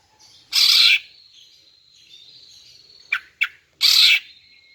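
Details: Female greater green leafbird calling, used to lure and provoke males: two loud, harsh, rasping notes about three seconds apart, with a faint thin whistled tone and two short clicks between them.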